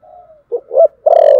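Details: Fighting coo of a spotted dove, thổ sấm style. A faint sustained lead note gives way to two brief hoots and a loud, long, slightly buzzy final coo that stops abruptly.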